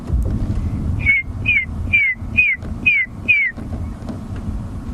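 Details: Red-crested korhaan giving its mating call, fairly close, on an African sunset drive: six clear, slightly falling whistles about twice a second, over a low rumble of vehicle engine.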